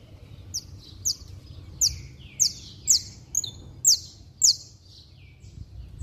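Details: Saffron finch in vigorous song, a kept bird used to rouse other saffron finches; crisp high downslurred chips repeated about twice a second in a steady run, with fainter lower notes trailing after.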